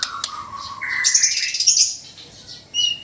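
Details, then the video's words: Sabah White-rumped shama from Borneo: a falling whistle, then a rising whistle under loud, buzzy, high chatter, ending in a short sharp note, from a mix of relaxed and loud song. "Murai batu Sabah: Suara santai & suara keras"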